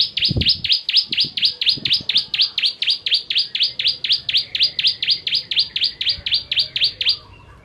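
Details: A bar-winged prinia (Prinia familiaris), "ciblek kristal" type, gives a long, fast series of sharp, high, down-slurred chips, about two each second, with a few low thumps at the start.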